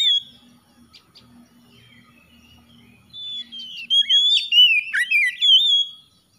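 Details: Kacer, the oriental magpie-robin, after a soft low murmur in the background launches into bright whistled phrases, a long level note then rapid warbling dips and high chirps, played to spur a silent bird into song.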